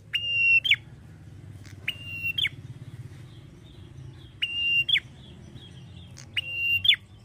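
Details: Male prinia singing in the long 'ngalun' style: four level, pure whistled notes, each closing with a quick falling twist, spaced about two seconds apart against low-pitched background hum.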